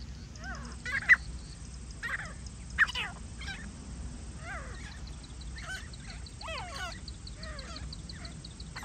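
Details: Grey francolin calls recorded during a hunt: a busy run of rising and falling harmonic notes, several close together, with sharp clicks at intervals over a continuous low rumble.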